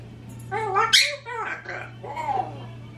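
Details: Indoor African grey parrot (26) and Quaker parrot (16) left by themselves: a rapid string of talking-like harmonic syllables with a sharp squawk near the start, over a steady hum.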